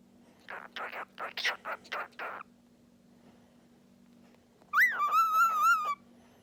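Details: Talking and singing pet cockatiel: a run of speech-like chattering syllables, a pause, then one long whistled note that rises, dips and holds level for over a second; a low hum persists.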